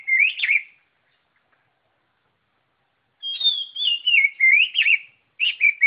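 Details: White-rumped shama giving loud, varied whistled phrases: a short wavering burst, a pause of over two seconds, then a long rollicking sequence of descending fluty notes and a final quick flourish.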